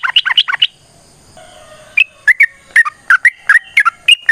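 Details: 'Gacor' yellow-vented bulbul in long 'ropel' fighting song: opens with a fast stutter of five sharp notes, falls quiet for over a second, then resumes with spaced, gurgling whistled phrases about every third of a second.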